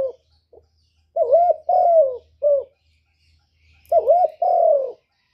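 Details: Derkuku (spotted dove) singing its 'kuk 1' lure song: two groups of mellow coos, a wavering note then a long falling coo, over a faint low hum.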